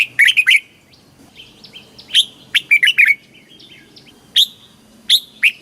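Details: Red-whiskered bulbul kept in a cage in Thailand, its southern master style song played to excite birds and teach chicks: a fast warbled opening, a lively mid-phrase flourish, then spaced sharp chirps.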